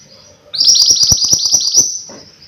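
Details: Mountain white-eye in lively, persistent song, offered as a tutor or lure recording: a fast run of about ten high, thin, rising chirps strung closely together over a second and a half, then fading out.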